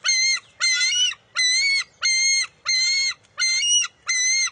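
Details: Bald eagle eaglet competing with its mother over a fish at the nest on June 23, 2021: seven loud, flat, piercing squeals with strong overtones, steadily repeated, with faint low rustling underneath.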